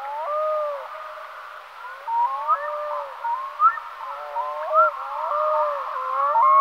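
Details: Black-throated loon calling: several overlapping wavering, harmonic wails with short upward slides and yodel-like breaks, sounding continuously and rising and falling in loudness throughout.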